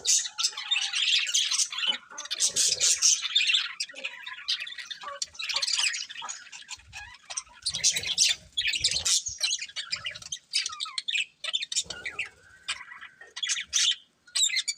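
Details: Colourful budgerigars of a breeding pair chatter in repeated lively bouts, fast raspy chirps and warbled squeaks every second or two, with brief quieter pauses between outbursts.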